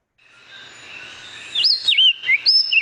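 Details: Puerto Rican Oriole, called calandria in Spanish, an endemic of the San Juan Bay Estuary, Puerto Rico; melodic song of clear whistled notes sliding up and down, starting after a quiet lead-in, with short phrases separated by brief pauses.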